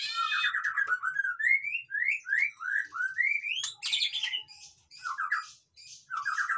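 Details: Captive white-rumped shama singing, used to coax lazy birds into song: a series of rising slurred whistles repeated about every half second, followed by buzzy high chatter and quick stuttering mid-pitched notes.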